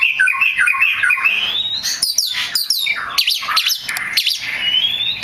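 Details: Oriental magpie-robin song used to provoke rival magpie-robins: warbling chatter, then a long rising whistle, followed by harsh scratchy notes and sharp chips, ending in a thin rising whistle.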